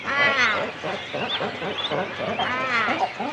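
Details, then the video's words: Cormorants at a nesting colony, chicks and adults together on the nest, recorded close: continuous harsh, croaking, rasping calls with stacked tones, rising in intensity twice, overlapping in a busy chorus. "Cormorant. CU Calls From Chicks And Adults On Nest. Colony Sounds."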